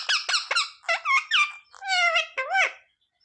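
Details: Pet parrot talking, copying "mummy papa": rapid squeaky word-like syllables, then two longer drawn-out, slightly wavering notes ending on an arched sound.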